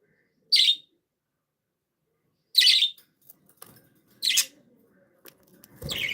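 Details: Playful pet budgerigars give a few sharp, high chirps spaced a second or two apart, with soft faint rustling and chatter between them.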